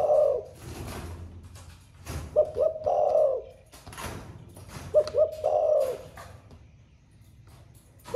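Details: 'Thổ pha' song from a caged spotted dove that recently started cooing and sings all day: the end of one coo, then two phrases of paired short hoots and a drawn-out burred note, with handling knocks.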